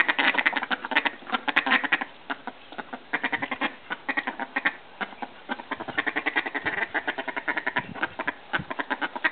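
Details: Australian call ducks, bantam mallards, flirting and mating; a dense run of loud, harsh, nasal quacks in rapid bursts, several birds calling over one another almost without pause.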